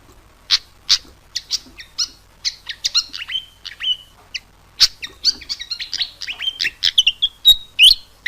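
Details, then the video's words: Fantail singing, played to coax caged birds into song: irregular sharp high chips that speed into a busy jumble of short whistles and slurred notes, with a few clearer sustained whistles near the end. "Terapi Burung Kipasan 2 menit buka paruh langsung nyaut"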